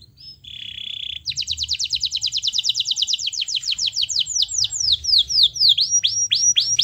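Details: Singing canary, played to coax a lazy canary into replying: a short steady whistle, then a long rapid trill of high chirps that gradually slows into separate, louder down-swept notes repeated about twice a second.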